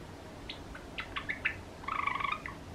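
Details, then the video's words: Pet cream Java sparrow giving short chirps and clicks, followed by a fast rattling trill of closely repeated notes lasting about half a second, with soft room noise. "クリーム文鳥チノの鳴き声 Java Sparrow"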